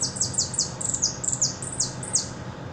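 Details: Hooded siskin, a repique-style singer from Buenos Aires, delivers a rapid series of high, thin descending notes repeated about every quarter second, with faint low background hum.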